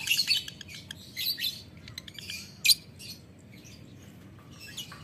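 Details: Ngetik ngekek chatter from a lovebird calling a rival: scattered sharp, squeaky bursts and clicks. A loud harsh burst comes near the middle, then quieter, sparser notes follow over a soft background hum.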